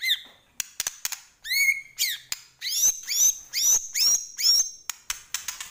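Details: White-rumped shama, Medan type, in chatty full-isian song. Sharp clicks mixed with high, thin, rising whistles repeated about twice a second, each followed by a slurred note.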